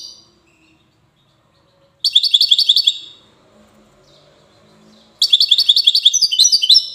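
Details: Safi goldfinch, Morocco, with two rapid twittering bursts separated by a pause holding faint low background sounds; notes are quick, bright and metallic.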